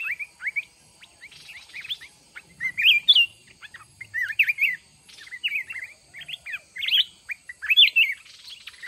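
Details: Mountain red-whiskered bulbul in a trapping fight contest using a decoy bird: loud slurred whistle phrases roughly every second, each a quick up-and-down flourish, with softer chirps between.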